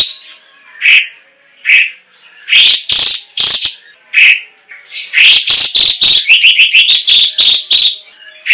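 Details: Straw-headed bulbul, known locally as cucak cungkok, singing loud rich warbled phrases: separate short notes near the start, then a fast run of bubbling, rising notes in the second half; no other sounds stand out.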